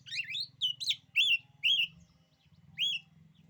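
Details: Oriental magpie-robin singing a song said to make rival magpie-robins lose their nerve: about five loud whistled phrases with rising and falling sweeps, each under half a second, spaced irregularly, over a steady low hum.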